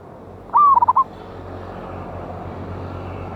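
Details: Wild local zebra dove with a loud voice, recorded for use as a lure: one whistled phrase opens with a rising-then-level note and breaks into four quick, even pulses, set over a constant low background hiss.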